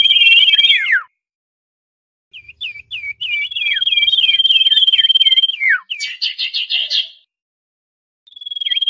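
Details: Noisy common iora lure call for trapping birds: a high rapid trill breaking into a falling note, a pause, then looping downslurred whistles running over a steady pulsed trill, with a burst of dense chattering notes.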